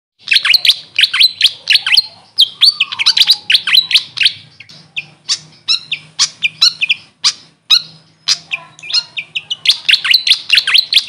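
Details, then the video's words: Grey fantail, locally called Maria Capra, giving rapid high squeaky chirps and short rising and falling whistled notes in dense bursts, nearly continuous over eleven seconds, with a faint low hum beneath. "Grey Fantail bird call||huni ng Maria Capra kung sa amin tawagin"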